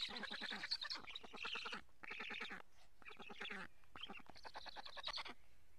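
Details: Feeding time at a black stork nest in Karula, Estonia, July 2017, recorded by a live camera; grating, throaty pulsed calls in choppy bursts, lower and more nasal than a plain chatter.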